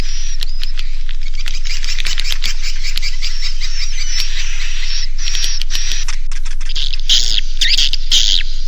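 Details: Edible-nest swiftlet roosting lure sound, the Naga Mas style used by swiftlet farmers to make young birds roost: dense buzzy, chattering chirps in a continuous busy stream, with a thin steady high whistle running beneath.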